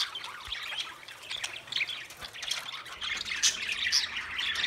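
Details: Many budgerigars chirping together in a steady, busy twitter of high, scratchy notes and quick squeaks, slightly softer and swelling toward the end.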